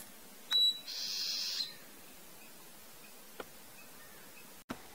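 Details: Ochre-rumped antbird (Drymophila ochropyga) foraging and singing in bamboo understory of highland forest: a brief high note followed by a harsh, buzzy rasp lasting under a second, then a couple of faint clicks.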